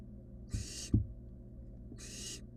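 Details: A young barn owl with a rabbit hisses twice, rough rasping bursts about a second and a half apart, with a couple of soft knocks between them over low hum.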